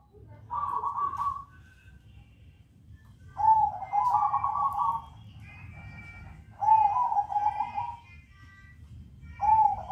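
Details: Zebra dove singing in the crossing style: repeated soft, warbling coo phrases roughly every three seconds, each about a second or more long, with faint higher chirps of other birds between them.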